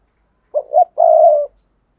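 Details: One phrase of spotted dove cooing meant to attract wild doves: two short, low notes, the second rising slightly, then a long level coo; clean and quiet background.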